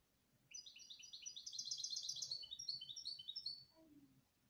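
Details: Canary delivering a sustained, fast series of high whistled notes and trills, fairly regular, closing with a faint lower descending tone and light background hum.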